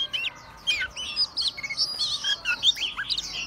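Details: Singing white-rumped shama fanning its tail and swaying, delivering quick bursts of bright whistled and chattering phrases that rise and fall, with faint low hum behind.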